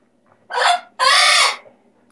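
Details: Severe macaw giving two loud, harsh, raspy squawks, a short one followed by a longer, broad grating screech, with quiet room background between them.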